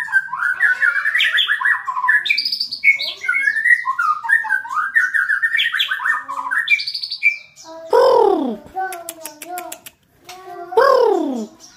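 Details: White-rumped shama in training to become a fighter: a long rapid warbled song of jumbled chirps and trills shifting in pitch, then loud downward-sweeping whistles with bursts of high metallic ticks between them.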